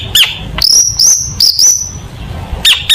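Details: Long-tailed shrike in contest-style mimicry song: sharp clipped notes and long thin high whistles held steadily, with short buzzy chips at the start and finish.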